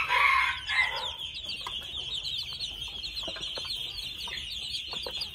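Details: Young red junglefowl at two months: a loud, raspy, harmonic call opens, then sparse soft clicks and taps follow beneath a continuous high buzzing drone.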